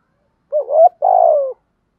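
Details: Spotted dove call meant to stimulate decoy doves in training: a single soft two-part phrase, a rising wavering coo, a brief gap, then a drawn-out coo falling gently at the finish.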